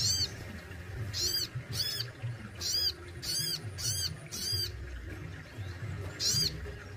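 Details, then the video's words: Caged Crested Jay in Indonesia repeating loud, ringing arched notes, roughly one or two per second in clusters, with a short pause before a final note; low background hum. "SOGON ISTIMEWA ,BESETAN DAN TEMBAKANYA WOW BANGET || SOGON RAWATAN GACOR"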